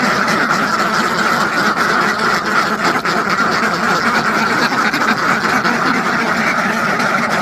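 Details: Farmed ducks by the hundreds calling together: a thick, continuous mass of rasping quacks with a brief dip near the middle, otherwise steady and loud.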